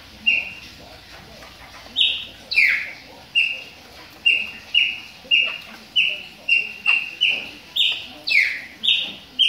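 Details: Moulting captive Chopi blackbird warming up, producing a steady series of clear whistled notes, about sixteen in nine seconds, mixed with occasional sharper downslurred whistles and faint room sounds.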